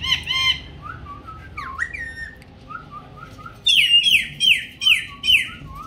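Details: Ringneck parrot kept as a pet, speaking Urdu and Hindi; soft talking-like wavering notes give way to a fast series of loud, sharp, descending squawks about every half second.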